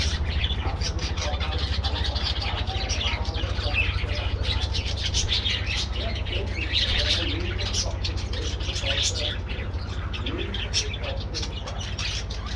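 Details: A flock of budgies kept in a colony aviary chattering together. Busy, rapid chirping and scratchy warbles overlap without pause, backed by a constant low droning hum.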